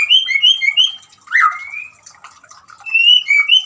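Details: White-rumped shama singing with running water, used to coax a silent shama into song; bright repeated two-note whistles, a long slurred rising whistle, then the quick whistled series again.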